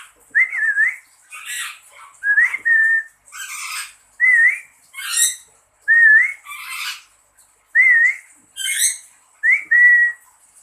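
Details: Pet lory calling back to its owner's whistles: a steady back-and-forth of wavering human whistles and harsh, buzzy squawks, roughly six rounds in ten seconds.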